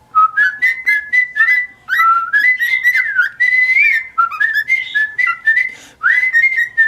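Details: Male white-faced cockatiel kept as a pet indoors, singing a long, loud, continuous whistled warble of sliding notes that rise and fall, with brief gaps, in a small room.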